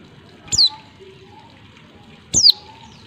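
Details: Two high, thin, descending calls from a female white-eye meant to prompt males to sing. The calls come nearly two seconds apart, each with a click at its start, and a faint hum runs underneath.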